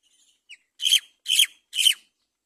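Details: Great myna at a nest with its chick on a palm tree; a soft short note, then three loud, rasping, buzzy chirps evenly spaced about half a second apart, in otherwise quiet surroundings.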